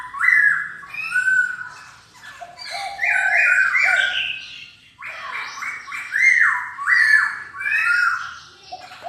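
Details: Indoor recording of a silver-eared laughingthrush delivering repeated rich whistled phrases with bouncing falling notes, in two main bursts with a brief dip between.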